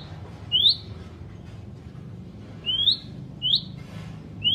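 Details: White-rumped shama giving clear rising whistled notes, four in under five seconds, separated by pauses, against quiet low hum.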